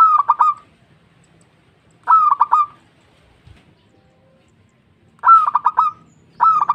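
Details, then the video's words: Local zebra dove calling to others: compact bursts of four quick cooing notes, the first slightly longer, repeated roughly every two to three seconds with near silence between. "Suara burung Perkutut Lokal Gacor memanggil kawan"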